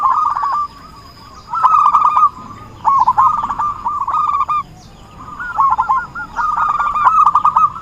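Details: Zebra dove calling as a trapping lure, with quick runs of clipped, bubbling coos in repeated phrases roughly a second long, separated by brief silences.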